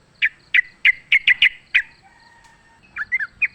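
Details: Wild sooty-headed bulbul during a fight, recorded as a lure: seven loud separate chirps at a steady quick pace, then quieter slurred bubbly phrases.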